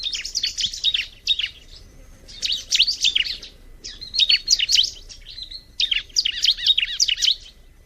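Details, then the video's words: Bar-winged prinia song: bursts of rapid, high chirping and trilled notes, in four phrases about a second long separated by short pauses, fairly loud and clear over a quiet background. "kicauan alam burung ciblek"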